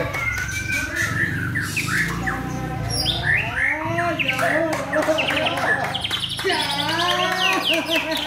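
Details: Two Medan white-rumped shamas in a singing duel, competing with loud, vigorous song. Dense overlapping whistles, rising and falling slurs and rapid chattering phrases run without pause over a steady low hum and some background murmur.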